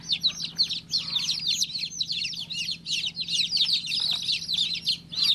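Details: Tiny chicken chick peeping urgently, about three high chirps a second, each quickly falling in pitch, in a steady flowing stream over a low hum.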